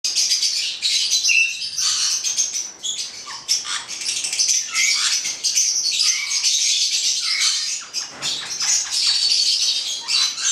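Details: A pair of black-headed parrots calling almost nonstop: harsh, high screeching squawks, dense and overlapping, with brief dips between bursts and a few short chirps.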